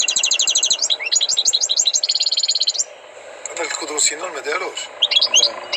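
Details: Tutored European goldfinch from the Maghreb with nearly three seconds of rapid, evenly repeated high trills and twitters. After a pause a man speaks, and a few chirps return at the end.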